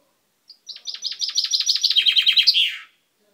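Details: Pet chaffinch with a recently purple beak, recorded 10/05/12: a short introductory note, then an accelerating trill of chipping notes descending into a buzzy, slurred ending flourish.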